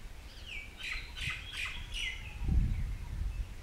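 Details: White-browed fantail in Shakambhari Conservation Reserve, Rajasthan, India, giving a short run of clear whistled notes that slide downward one after another, over steady low background rumble.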